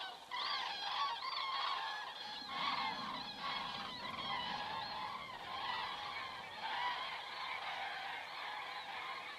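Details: Cranes passing over Estonia at 19:26 on 27 September 2017, recorded by a crane cam; a dense chorus of bugling flight calls, with a faint low rumble briefly underneath midway.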